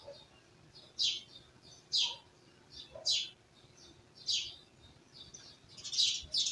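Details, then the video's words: Village birds chirping in a rural setting, with short bright chirps spaced about a second apart and a few faint lower notes in between. "Village Birds Chirping"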